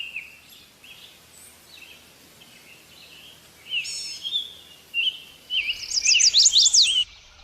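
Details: Birds singing: a soft chorus of high, thin chirps runs throughout, then louder, sharp rising and falling whistled notes crowd together in a quick burst over the last two seconds.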